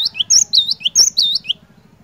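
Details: Cinereous tit singing energetically, used to coax a quiet bird into song: a quick burst of high, sharp whistled notes and slurred dips over about one and a half seconds, a low rhythmic hum beneath.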